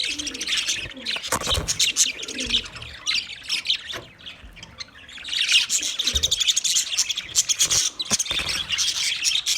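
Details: Budgies keep up a busy, scratchy warbling with squawky chirps, quieter around the fourth second, then swelling into a louder, denser stretch of high twitters.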